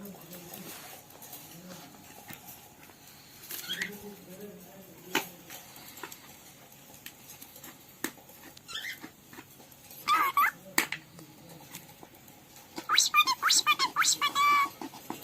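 A cockatiel gives short, bright chirps and warbling whistles after a quieter start of soft voices and rustling.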